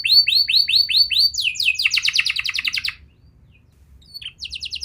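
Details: Canary song to prompt silent young canaries: five looping whistled notes, then a fast rattling trill, a silent gap, and a brief final burst of quick notes.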